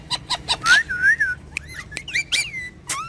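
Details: Pet talking parrots whistling: a few clicks, a long wavy whistle, then short bent whistled notes and a final falling whistle.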